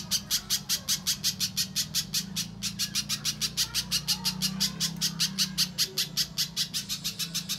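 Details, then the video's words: Little spiderhunter lure recording, played to prompt untrained captive spiderhunters to start singing; sharp, high, clipped notes repeated rapidly, nearly three per second, with a brief pause midway over a steady low hum. "Suara Pikat Burung Pijantung Pisang Durasi Panjang, Pijantung Bahan Langsung Bunyi"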